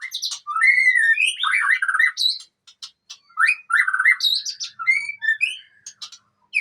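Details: White-rumped shama of the long-tailed Aceh type, singing a rich varied song of fluty whistled phrases, rising and falling slurs and buzzy notes, with short pauses between bursts.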